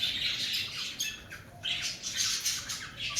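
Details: Breeding-season cockatiels producing a dense, continuous wash of raspy, high squawking with brief dips in between.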